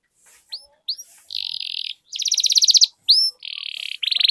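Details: Canary lure song meant to make other canaries sing and roll: short upward-curving whistles alternate with sustained buzzy notes and a rapid pulsed trill, each lasting under a second.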